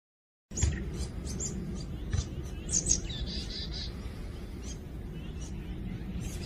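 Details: A Grey-backed Thrush on a Sunday morning on Wonmi Mountain, Bucheon, gives a brief warbled phrase among sharp, high chirps from Marsh Tits.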